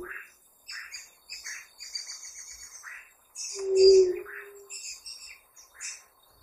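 A ruddy quail-dove gives a single low, mournful coo that swells and fades over about a second, over a busy chorus of high chirping songbirds.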